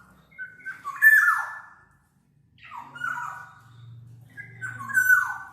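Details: Black-naped oriole song offered as a lure and tutor recording, three rich whistled phrases each falling in pitch, spaced about two seconds apart, over a faint low hum.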